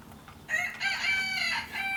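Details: A village rooster crowing amid countryside hens: a loud, harmonic, drawn-out crow starting half a second in and holding for over a second with a slight wavering finish.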